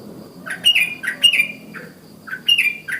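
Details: Sooty-headed bulbul in morning forest-style calling that sets other bulbuls singing; bubbly, slurred chirping phrases rising and falling, repeated about every half second in three short runs, over a faint background hum.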